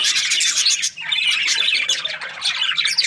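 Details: Happy budgie giving a brisk run of rasping chirps, a brief dip, then more twittering chatter and squeaks.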